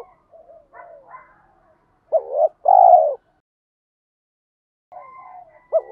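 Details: Spotted dove lure call in the 'thúc' style, used to provoke wild doves. Soft scattered coos come first, then one clear phrase: a short rising note and a long, low, hollow coo.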